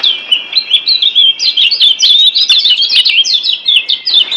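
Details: Kecial kuning white-eye of Lombok giving master song used to coax silent cage birds into singing: fast, sweet, high chirps and slurred twitters run together in a steady stream for over four seconds.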